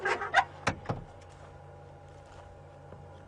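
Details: A few short mechanical clunks and clicks, like a vehicle door or fittings, followed by a low steady engine hum.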